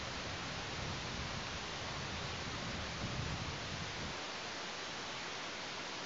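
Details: Steady broadband hiss like rain or rushing wind, with no animal calls.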